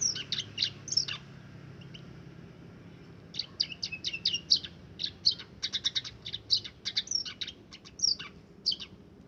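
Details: Caged scaly-breasted munia, raised from young alongside other birds, singing in imitation of a canary: rapid high chirps and trills in two bursts separated by a short pause, over a low steady background hum.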